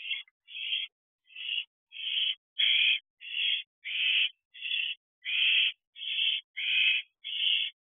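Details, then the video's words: Owls, including owlets, at a nest box at night during brooding season, calling excitedly; a fast series of harsh, hissing screeches, each about a third of a second, repeated almost without pause, with no other sounds. "Excitement at the Owl House."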